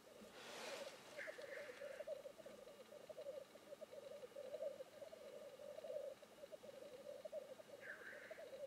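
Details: Black grouse at a lek display: a continuous low, bubbling rookooing murmur runs throughout, broken twice by a harsh hissing sneeze-like rush.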